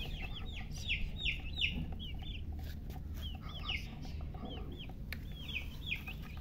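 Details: Baby chicks chirp in clustered bursts of sharp descending whistles, sometimes two or three in a row, with a short pause midway and a low hum behind.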